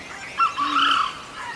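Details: Red junglefowl calling unseen from the grass during a safari in Chilla range, Rajaji Tiger Reserve (mixed deciduous forest with grassland): a short sharp note, then a longer strained wavering crowing one, over faint hiss; a peacock calls elsewhere.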